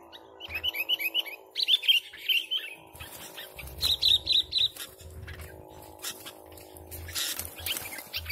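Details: Lively sooty-headed bulbul song played for luring birds: a run of bubbly, slurred whistled phrases, then a tight group of four bright notes, followed by softer chirps and rustling.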